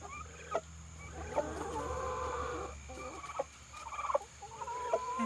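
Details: A female domestic turkey, apparently reacting to her reflection as if to another turkey, makes odd, wavering calls about half a second to a second long, with sharp clicks between them; a person talks softly in the background.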